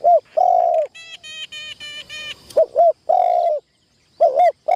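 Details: Decoy spotted dove in a trapping tent during its first training. It gives low coo phrases of a dipping double note and a long hum. A series of harsher, ringing calls from another bird breaks in between the phrases.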